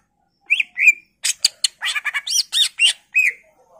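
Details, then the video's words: Greater green leafbird in varied, energetic song meant to trigger singing in other birds: two slurred whistles, then a rapid stutter of harsh, buzzy chips and rising notes, ending on a single whistled slur. "PANCINGAN CUCAK IJO Macet Bunyi / Masteran Cucak Ijo full isian"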